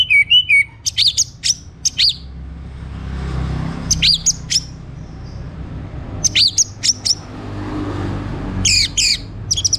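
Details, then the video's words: Morning orange-headed thrush singing used to prompt other birds to sing, given in short bursts of sharp, high, sweeping whistled notes and chirps with pauses in between, over a faint low rumble. "Kembali Bunyi Dengar Pancingan PAGI HARI 99% Efektif bikin ANIS MERAH GACOR"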